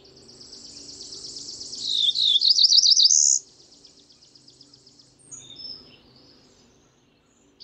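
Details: Cerulean warbler song: a run of accelerating buzzy notes rising to a high buzz, heard over steady high-pitched background hiss. A few thin whistled notes from another bird follow.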